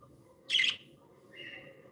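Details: Pet budgerigars described as happy and playful: one sharp, scratchy chirp near half a second, then a softer rising warble, over a low steady indoor hum.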